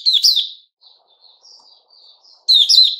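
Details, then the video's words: Puteh Raja white-rumped shama, 29 August 2021, 'buka' song: a loud swooping whistled phrase, faint soft warbles in between, then another strong whistled burst. "Puteh Raja Sing Buka"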